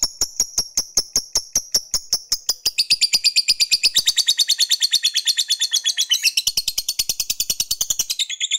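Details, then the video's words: Fighter lovebird whose ngekek is meant to provoke rival males: spaced clicking ticks speed up into a continuous, rapid, high-pitched chattering trill of about eight notes a second, lasting over eight seconds. "Ketikan Labet ini Merangsang Lovebird Fighter Cepat Narik Ngekek"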